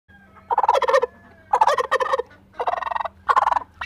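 A turkey gobbles four times in quick succession, each burst a rapid, rattling, bubbling gobble lasting about half a second, with a low steady hum underneath.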